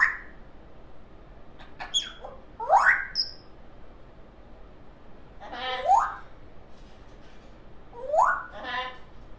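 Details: Pet baby African grey parrot making assorted funny sounds indoors: clicks, a high whistle, and repeated rising, buzzy swoops, roughly three bursts spread across the recording.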